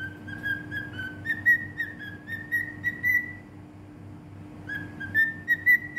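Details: Bahrain cockatiel singing: a run of smooth whistled notes stepping upward into brighter, louder whistles, a brief quiet spell, then the tune resumes, with a faint constant hum.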